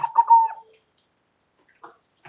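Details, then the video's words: A local zebra dove calling loudly, meant to make other doves answer: one rapid rolling phrase of bubbly, pulsed coos, falling slightly in pitch, then silence with a few faint clicks. "Perkutut Lokal Gacor Suara Lantang Keren Banget Bikin Nyaut"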